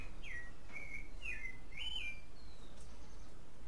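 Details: A clay-colored thrush (Turdus grayi) sings during the mating season in Costa Rica: four rich, slurred whistled notes over two seconds, then a faint higher note, against a low steady background rumble.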